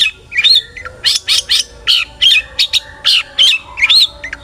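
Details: Long-tailed shrike singing energetically as a lure for other shrikes: sharp, scratchy notes repeated in quick succession alternating with thin warbled whistles, a lively, choppy phrase.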